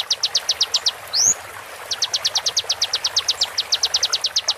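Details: Konin song used as master recording for tutoring competition songbirds, real konin voice with water-therapy sound, slowed down: rapid runs of sharp, high, ticking notes about six to eight per second, broken by a single quick upward-sweeping whistle.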